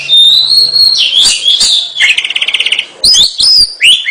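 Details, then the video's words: Oriental magpie-robin sings a sustained high whistle, then a rapid rattling trill of evenly spaced notes, ending with sharp upslurred whistles. "kacer gacor"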